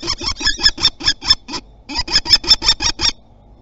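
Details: Common kestrel defending its territory, recorded on 27 April 2021 at Théding, France: a rapid series of harsh, shrill repeated notes, about thirteen in quick succession, with a brief pause midway, then silence.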